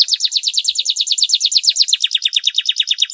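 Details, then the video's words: Canary song played to stimulate other canaries to sing: rapid high trills of repeated down-slurred notes, about three per second rising to faster runs, shifting pitch partway through. "kenari gacor panjang mewah buat pancingan kenari males bunyi"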